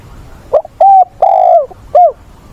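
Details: Captive spotted dove used as a training decoy, voiced like a wild-caught bird: a phrase of four coos in which a clipped note, a level coo, a long falling coo and a short arched coo follow quickly.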